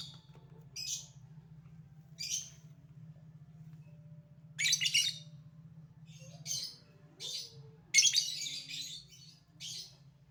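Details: Calling lovebird giving ngekek chatter: a series of harsh, high raspy bursts of varied length spaced irregularly, over a steady low electrical hum.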